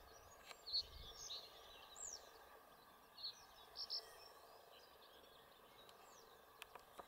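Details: Common reed bunting at Lake Cerknica (Cerkniško jezero) on 15 May 2023 gives a few short, high, chirpy notes in loose, jerky phrases, against a steady hiss of wind and distant background noise.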